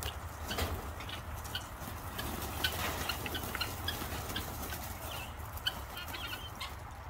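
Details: Helmeted guineafowl give scattered harsh, clucking chips over a low rumble of handling noise as someone attempts to catch them.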